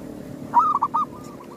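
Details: Zebra dove used to lure wild birds, recorded while hunting at a cemetery. A single short, mellow cooing phrase of three quick notes, followed by faint trailing coos in the distance.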